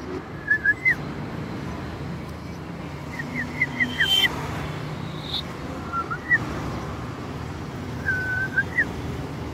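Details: A young bulbul being hand-fed, about two months old, gives short, bright whistled notes in small bursts, some quick rising chirps in a series, over a steady hum of traffic.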